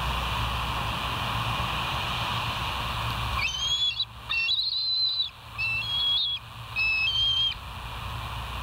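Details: Bald eagle calling at West End on a live nature cam, 25 August 2023 at 06:58; a steady low hum gives way to bursts of high, thin whistled notes, some wavering, in four separated phrases.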